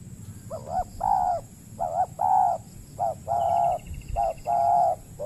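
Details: Spotted dove cooing at a peat-land trapping site in the Riau Islands, Indonesia. A wild bird calls readily but is too timid to fight the decoy. Short and long mellow coos alternate in pairs, about four pairs, with a faint thin high whine behind them.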